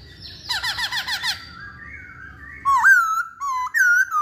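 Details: Chinese hwamei in lively song: a burst of repeated downward-swept notes, softer warbling, then loud, clear, twisting whistles.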